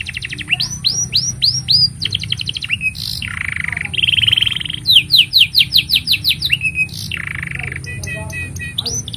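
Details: Long canary song used as a master for juvenile and mute canaries: rising whistled swoops, rapid trills, buzzy rasping phrases, then a fast series of chirps about four per second; faint continuous high tone behind.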